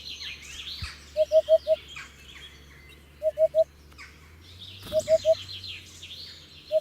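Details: Hoopoe repeating bursts of low, soft hoots, first four notes, then triplets, then a single note. Many other birds chirp and trill at high pitch, with an occasional knock.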